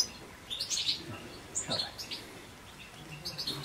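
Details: European goldfinch giving a few sparse bursts of high, tinkling twitter separated by short pauses, over a faint background hum.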